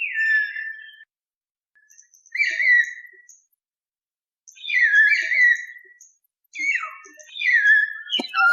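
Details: Common hill myna calling in four loud, slurred whistles, each about a second long and dropping in pitch, spaced by pauses of one to two seconds, with a sharp click at the end.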